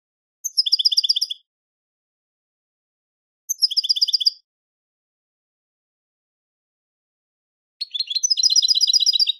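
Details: European goldfinch song: three bursts of rapid, high, tinkling twittered notes, each under a second long and spaced about three seconds apart, the last burst fuller and buzzier, with no other sounds.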